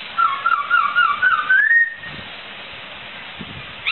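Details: Laughingthrush (poksai) song, 'gacor' style, used as tutor recording for songbirds: loud whistled notes around a steady pitch, then a smooth rising slur, followed by quiet background hiss.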